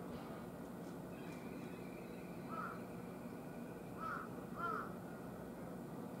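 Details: Wild carrion crow, August 14 around 10:13, hot weather, three birds at a utility pole: a single hoarse caw, then after a gap two more in quick succession, over a low steady rumble.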